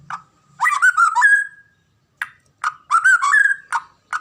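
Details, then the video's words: White-rumped shama, kept as a cage bird in Indonesia, singing loud fluting phrases of rapid warbled notes ending in a drawn-out whistle, with sharp single clicks and chips between phrases. "KICAUAN MURAI BATU INI"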